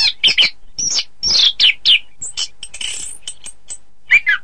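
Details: Orange-headed thrush song used for training contest birds: a rapid, varied run of sharp whistled and chattering notes, mostly high-pitched, with slurred phrases and brief pauses between bursts.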